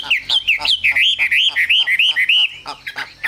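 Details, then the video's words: Chinese hwamei, a caged singer, repeating clear looping whistled notes about three per second in a fluid run, ending with a few sharp chirps. "Họa mi siêu phẩm, người dai miên man | Hoạt Họa Mi"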